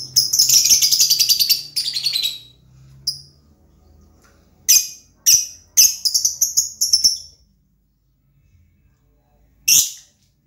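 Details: Shrill rapid chatter from a lovebird opens the recording, followed by a quiet gap and then scattered sharp, high chirps in small clusters, ending on a lone chirp.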